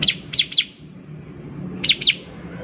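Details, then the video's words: Bar-winged prinia singing actively, played to prompt other birds to sing: three sharp, high downslurred notes close together, a pause, then two more, over steady low hum. "PANCINGAN CIBLEK GACOR || CIBLEK BAHAN PASTI CEPAT BUNYI"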